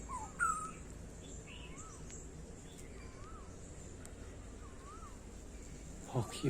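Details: Black-hooded oriole, soft wavering whistles repeated about once a second, each note rising then falling like a liquid warble; low background rumble and a sharp loud noise at the end.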